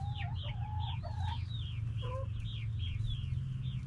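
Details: Backyard hens and roosters calling: rapid high chirping notes repeat throughout, with short mid-pitched tonal calls in the first half and a brief lower note near the end, over a steady low hum.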